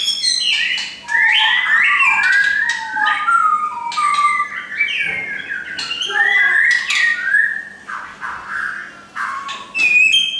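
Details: Several captive shamas owned by a friend pour out a varied song of fast whistles, trills and sharp slurred notes, with short breaks between phrases.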